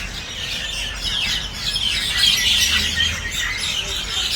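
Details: Common myna (Acridotheres tristis), calls.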